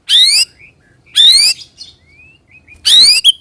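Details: White-rumped shama rolling song (roll tembak) used to lure other shamas into singing; three loud, harsh, buzzy bursts about a second apart, with faint thin whistles between.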